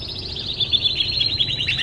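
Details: Canary in song for training other birds: a brief, continuous fast rolling trill held at a steady high pitch, slightly rising toward the end.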